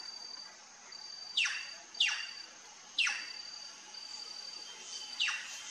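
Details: Plush-crested jay, known locally as gralha-picaça, calling on a trail; loud, sharp downward-sweeping notes given four times at intervals of roughly one second, over a steady high insect-like whine.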